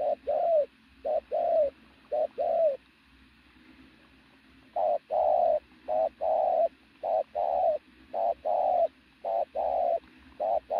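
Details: Loud, rich cooing from a robust native decoy pigeon: a few paired coos, a quiet gap of about two seconds, then a long regular series of short-long notes.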